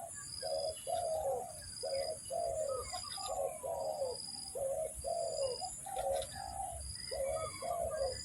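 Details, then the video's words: Trapping lure call of a spotted dove: a rhythmic run of low, rounded coos, paired short and long, falling slightly in pitch, repeated without pause against a steady high-pitched drone. "mikat burung tekukur, mikat burung derkuku."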